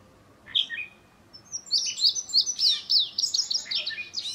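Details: Indigo bunting, newly arrived and not yet in full molted plumage, gives a brief high chirp, then a quick string of bright, high, paired notes that rise and fall for about three seconds.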